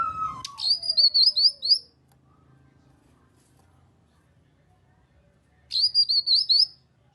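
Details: Grey-cheeked bulbul calls used to stimulate other birds to sing: a quick series of high, thin, repeated chirping notes, a long silent gap, then the same rapid chirping series again, with a brief falling tone at the start.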